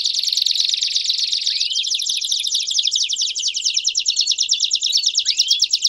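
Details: Multiple Belgian canaries singing together, a continuous wall of rapid high trills and rolls, with two rising whistled slides breaking through the mix.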